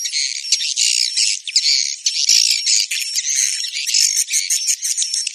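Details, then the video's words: Roosting lure sound for swiftlet houses, new or empty ones: a constant wall of shrill, rapid chattering and buzzy twitters, unbroken for the whole stretch with small pulses in loudness. "Suara Inap walet Anti Galau dan Zonk"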